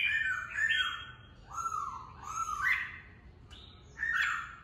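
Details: Red-whiskered bulbul kept for bird fighting, singing slower, mellow whistled phrases, some falling and some swooping, with a sharp click midway and a final bright trill, in a quiet setting.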